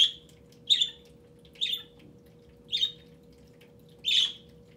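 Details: Indoor pet budgerigar addressing an inactive webcam with five loud, harsh squawking chirps about one second apart, the last one longer and broader, against a faint steady hum.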